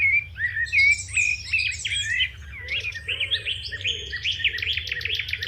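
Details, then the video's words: House sparrows chirping busily in the morning, with short bright notes repeated over one another, a soft low rumble beneath and a few muffled lower calls, a crow also present. "Chirping sparrows"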